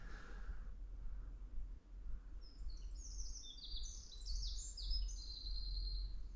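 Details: Eurasian wren singing on a sunny early-spring morning, 8 March 2024, as a territory holder repeating song after song: a loud, rapid, high-pitched song of tumbling notes and trills over several seconds, with a low wind rumble behind.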